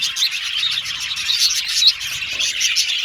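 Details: Colony of Australian budgies in an aviary singing and chirping together: bright, busy twittering from several birds, with short sharp squeaks rising above a constant chattering mass.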